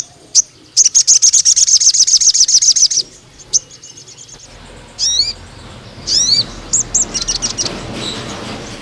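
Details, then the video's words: Crimson sunbird singing hard, a training song for juvenile males: quick shrill trill of about twenty notes over two seconds, then short squeaky descending phrases and high chips. "BURUNG SOGON GACOR NEMBAK PANJANG UNTUK PANCINGAN MASTERAN TROTOL JANTAN"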